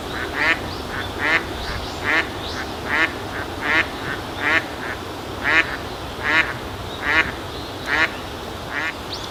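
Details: Steady run of about twelve rough, nasal quacks from an Eastern spot-billed duck giving contact calls, roughly one every 0.8 seconds, with faint softer quacks between and quiet environmental background.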